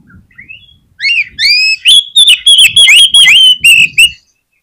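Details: Oriental magpie-robin singing strongly, used to prompt other magpie-robins to answer: soft opening notes, then a long series of loud, clear whistles repeated about three times a second.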